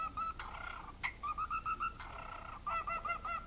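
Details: Beatboxing parrot producing quick trains of bright beeps in a regular beat, a sharp click near the start, then sustained buzzy tones before another burst of beeps, over low room hiss.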